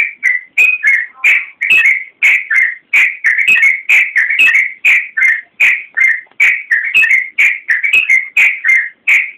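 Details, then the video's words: Yellow-vented bulbul singing 'gacor' for use as a master for songbirds: a long chattering series of liquid whistles, one short warbled phrase after another at a brisk pace, each phrase bright and slightly throaty. "Suara Burung Trucukan Masteran Trucukan Gacor Full Isian Kicau HD"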